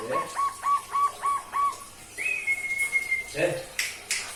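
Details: Young local barred dove, two months old, that answers when whistled to: five clipped mid-pitched coo notes, then a long steady higher whistle and some knocking noises.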